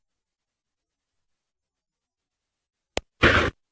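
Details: Near silence for about three seconds, then a sharp click and a brief burst of broadband noise, with no animal sound.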